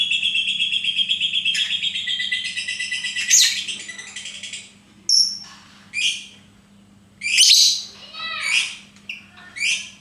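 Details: Lovebird starts with a sustained, rapid, high-pitched trilled chatter lasting about four seconds, then switches to separate sharp, rising squeaky chirps spaced a second or so apart. A low hum runs throughout.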